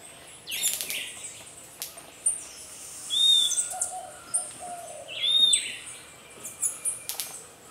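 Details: Nest-defending Puerto Rican flycatcher, endemic to Puerto Rico, confronting an egg- and chick-raiding pearly-eyed thrasher; two piercing high whistled notes stand out over softer twittering, broken by brief rustling and flapping bursts from the attacks.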